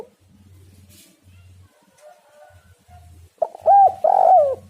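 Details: Spotted dove used as a lure: low buzzing hum fills the first three seconds, then a loud burst of arched coos, one drawn out, ends the clip.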